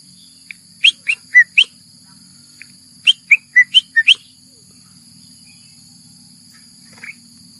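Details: Bulbul calling for a mate, recorded 28 May 2021: two quick bursts of four or five short, liquid whistled notes that rise and fall, separated by a pause, then one faint note near the end, over a steady high-pitched background hum.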